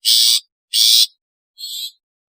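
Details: Long-tailed shrike, sounds recorded as natural, calling, alarm and lure calls. Two loud harsh rasps in quick succession, followed by a softer, more tonal buzzy note. Otherwise silent.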